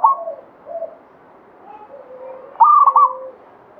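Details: Local zebra dove of the Banyumili type: a brief coo at the start, a stretch of soft low coos, then a loud, bubbling stepped phrase around two and a half seconds, fading into quiet.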